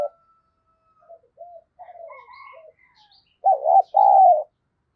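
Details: Spotted dove call used to lure wild doves, starting with soft scattered coo notes and a faint higher whistle, then two loud low hoarse coos near the end, the second held longer.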